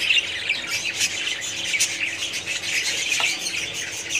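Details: Colony of budgerigars chattering together, many rapid chirps and scratchy squawks overlapping into a constant high-pitched din with small bursts of louder calls, a faint steady hum in the background.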